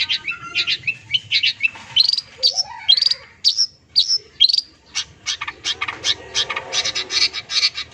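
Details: Long-tailed shrike, called cendet, singing a full varied song used as therapy to get silent birds singing: quick chirps, sharp upslurred whistles and dense rattling trills of high notes, delivered in fast irregular bursts.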